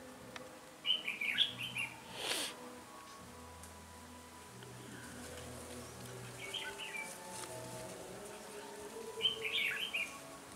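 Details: Rival-challenging song of a red-whiskered bulbul during trapping on 13 January 2017; a bubbly warbled phrase, a faint one mid-way, another near the end, plus a brief whooshing noise and low hum.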